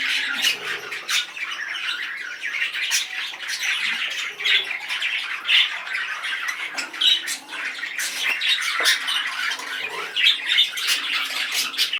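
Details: Male budgerigar in an excited state keeps up twelve seconds of busy warbling: rapid clicks, buzzy chatter and squeaks, loudest around seconds eight and ten.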